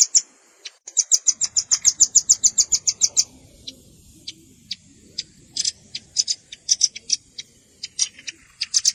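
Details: Velvet-fronted nuthatch sounds mixed with juvenile calls for bird luring: a quick run of high, metallic chips, then sparse single notes, followed by irregular clustered chipping toward the end.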